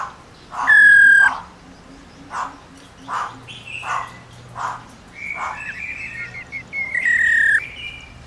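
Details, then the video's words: Long 'ro ro' call of a female black-throated laughingthrush, meant to make males sing: a loud falling whistle, spaced husky notes, then a rising warble ending in another strong descending whistle. "Khướu mái RO RO dài kích trống cực căng lửa"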